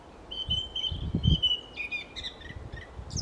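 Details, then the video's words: Song thrush singing around 5 May 2020: a long, steady high whistle followed by quick, varied chirping phrases, over a low rumble of wind. "Zingende Zanglijster"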